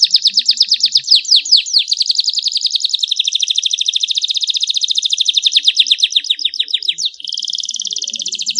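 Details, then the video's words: Loud, clean canary singing for stimulating reluctant canaries: fast swooping notes turn into long, steady, rattling trills, changing to a higher buzzing roll near the end. "PANCINGAN kenari SUSAH bunyi Dan MALES, DIJAMIN gacor setelah mendengar suara kenari gacor jernih"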